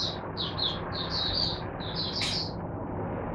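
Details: Caged oriental white-eye (mata puteh) singing on a Sunday as a teacher bird for other white-eyes, 22 January 2022: short, thin, high twittered phrases in bursts over a steady low background hum.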